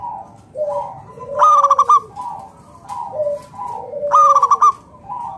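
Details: Local zebra dove singing loudly to coax other doves into song: two rapid staccato coo phrases near three seconds apart, with gentle lower drawn-out coos between them.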